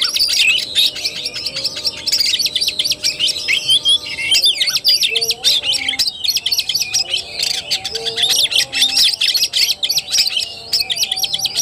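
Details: Fighting-style (tarung) singing of an Oriental magpie-robin, 17 August 2021: rapid high chattering and whistled phrases pour out continuously, broken by two short gaps, with faint lower whistled notes and steady tones in the background.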